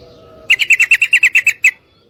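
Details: Female yellow-vented bulbul mating call aimed at a male: a tight string of about ten bright, slightly downslurred notes in just over a second, then a final separate note. A faint tone sounds beforehand.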